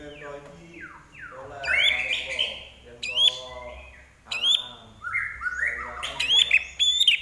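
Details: Lively Common iora song: downward-slurred whistles followed by several loud bursts of sharp, very high chipping notes alternating with lower rich warbles, phrases separated by short gaps.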